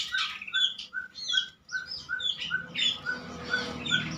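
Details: Steady chirping song of the prenjak lumut prinia, played as a lure for other birds: evenly spaced short notes roughly every third of a second, mixed with higher twittered elements, close and clear.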